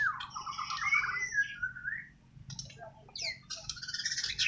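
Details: White-rumped shama from Borneo (Kalimantan), singing natural song without tutoring: varied whistled phrases sliding between low and high notes, a brief pause mid-way, then rapid high buzzy notes; low background hum throughout.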